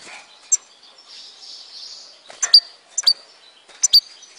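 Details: Algerian goldfinch from Tizi Ouzou: a soft high twittering warble followed by three crisp doubled chip notes spaced about half a second apart.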